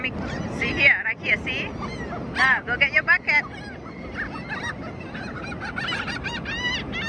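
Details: Seabirds on the ocean shore at South Padre Island, Texas, in spring break season: loud bursts of nasal, rising and falling squawks in the first seconds, then scattered softer calls, with a human voice and a constant wash of waves beneath.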